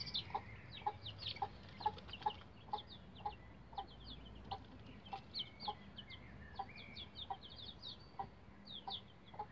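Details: Bantam Rhode Island Red chicks about 11 days old on a chicken ladder: many high, thin, downward-sliding peeps overlap continuously, with a lower short tick repeated about twice a second.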